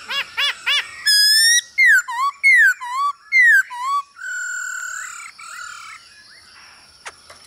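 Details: Male hwamei answering a female's stimulating calls, a recording used to coach birds in singing: three quick hooked notes, a long bright whistle, three loud down-slurred phrases, then a steady drawn-out tone fading away.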